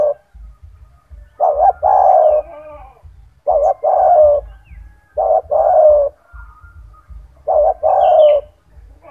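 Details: A caged spotted dove, kept for its loud, strong voice and used as a tutor recording for other doves, gives low, hoarse cooing phrases of two or three notes, each about a second long, repeated every two seconds over a faint rumble.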